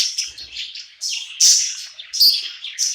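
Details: Pet budgie singing and chirping happily at night in a new home: bursts of high, buzzy warble with bright whistled chirps every half second or so.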